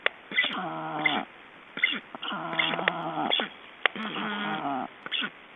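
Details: Black storks in Estonia during ringing on 29 June 2012: drawn-out, nasal, harmonic calls lasting nearly a second each, given three times with short clicks and knocks between them.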